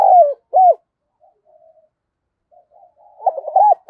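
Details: A decoy spotted dove gives thúc and gáy calls to attract wild doves: two loud throaty coos, a quiet pause with faint murmurs, then a rapid cluster of rolling coo notes.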